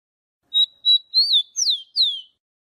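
A Rufous-collared sparrow sings two clear, level whistles, then an arched note and two quick downslurred whistles, all high-pitched and clean, with no other sounds.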